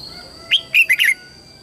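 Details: Red-whiskered bulbul used as a lure, singing to call wild birds to fight, with a clear whistled phrase: one note, a short gap, then three quick warbled notes falling slightly, over a soft steady hum.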